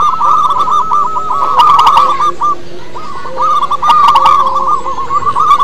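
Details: Local wild-type zebra doves singing as a lure for other doves: fast, looping cooing phrases at one pitch, pausing briefly mid-way, then resuming, with scattered sharp chirps.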